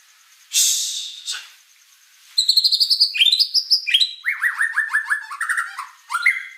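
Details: White-rumped shama in vigorous song. A harsh noisy burst opens, then a rapid stream of varied whistles: rising notes, then a series of quick, evenly repeated downward-slurred notes, ending with a short high phrase.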